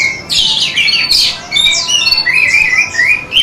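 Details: Orange-headed thrush song from an Indonesian masteran recording made to train pet birds: loud, dense bursts of high whistled and slurred notes, some sweeping downward, in quick overlapping phrases with short gaps.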